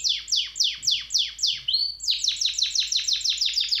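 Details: Singing canary: a tour of about seven slow, high downward-slurred notes, a brief pure whistle, then a faster tour of repeated descending notes.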